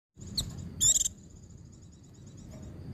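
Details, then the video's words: White-eye song in the 'ngecir sambung ngalas' style, played to train and excite other white-eyes: a loud buzzy rapid trill burst after a short high chip, over a steady chain of faint high twittering notes and low background rumble. "Suara Burung Pleci Ngecir Sambung Ngalas"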